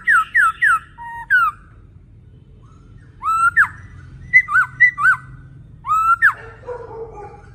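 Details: Male laughingthrush in full, energetic song: bursts of clear whistled notes, three quick falling slurs, then upswept and looping phrases after a silent gap, ending in a lower burry note over a faint rumble.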